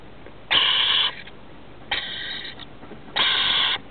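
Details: Rainbow lorikeet chicks in a roof cavity begging during feeding, producing three grating, buzzy rasps of about half a second each, the middle one softer, with short silences between.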